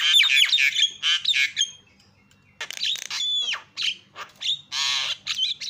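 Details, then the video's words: Javan myna calls used to provoke other mynas: loud harsh chattering bursts, a quiet gap of about a second, then more squawks, a downslurred whistle and rasping notes. "GAK PERLU LAMA BIKIN JALAK KEBO JADI TERIAK"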